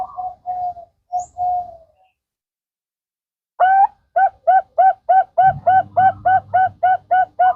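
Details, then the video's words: Bangkok-type zebra dove song played to prompt other doves to sing: a few soft mellow coos, a pause, then a rhythmic series of about twelve short bubbling cooing notes repeated evenly, with a low hum late on. "pancingan perkutut Bangkok"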